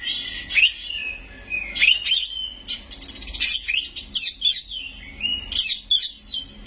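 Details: Loud white-rumped shama song rich in imitated fill-ins, mixing rising whistles, rattling trills and sharp chips delivered in quick successive bursts.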